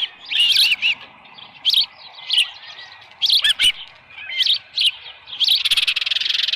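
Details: Osprey calls at the Dunrovin Ranch nest in July 2018, around 6:52 in the morning, with a headless fish. Separate high chirp bursts are spaced about a second apart, and a hissing rush comes at the end.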